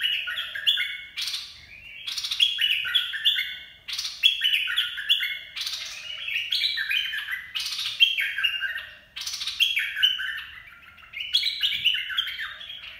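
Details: Red-whiskered bulbul sings bright, bubbly phrases of stepped whistled notes, each about a second long and repeated every two seconds or so, used as training song for young birds and as a lure.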